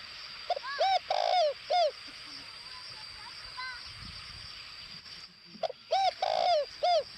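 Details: Spotted dove used as a decoy bird, calling in short bursts: soft, hollow coos in groups of two or three, each slightly falling, separated by several seconds of quiet with a steady hiss behind.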